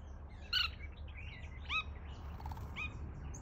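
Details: Red-throated bee-eater (Merops bulocki) calling: three clear, bright short chirps about a second apart, with fainter calls between, over a steady low rumble.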